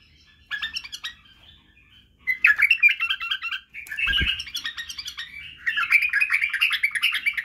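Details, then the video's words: Bulbul singing, recorded to teach young bulbuls to sing: rapid chattering bursts of warbled, slurred notes, with short pauses and a soft low thump near the middle. "لتخريج وتعليم افراخ البلابل على التغريد و البرواز وطك الجناح بلبل بدراوي"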